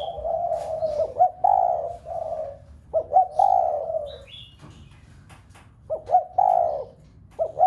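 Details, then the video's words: A spotted dove coos to set a flock of home-kept doves cooing: clipped upward notes, each leading into a rich, falling croon, in three groups spread over nearly eight seconds, with faint high chirping between. "Cu gáy gáy thúc cả bầy cu ở nhà gáy loạn. tiếng chim cu gáy kích bổi nhanh nổi nhất."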